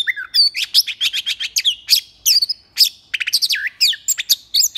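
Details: Early-morning competitive singing by an Oriental magpie-robin on 9 January 2021: loud, varied whistled phrases mixed with rapid chips and zigzag trills, broken by one short gap midway.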